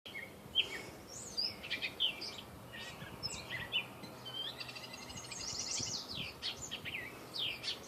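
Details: Catbird hidden in backyard trees in Saskatoon, north of its usual range, giving a jumbled run of varied chirps, squeaky slurred notes and a short rattling burst, with a low steady hum beneath.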